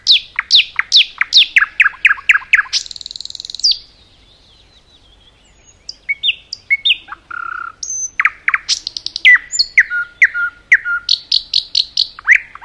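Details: Forest nightingale in full song: a run of about a dozen fast descending sweeps, a buzzy trill, a pause, then varied whistles, chuckles and high repeated notes in quick succession.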